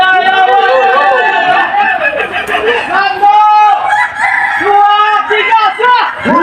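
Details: Crowing contest rooster of the Kukuak Balenggek breed, Boko class final in Sawahlunto, West Sumatra, 2025, a breed known for a stepped crow of at least five levels. A loud harmonic crow rises and falls in repeated stepped phrases over other roosters and crowd noise.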